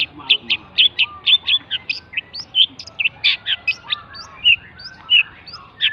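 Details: Javan long-tailed shrike singing: a lively run of short, high chirped and whistled notes, several per second, varied in pitch with a few rising slurs, over faint background hum.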